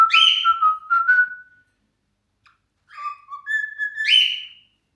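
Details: Cockatiel kept as a pet, whistling a sharp rising call followed by a level whistled note, silence for over a second, then a falling whistle and a harsher rising call in a quiet room.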